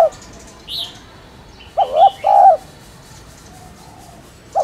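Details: Spotted dove (cu gáy) coo phrase of two low throaty notes mid-clip, partial notes at the edges, with a brief high bird chirp early on.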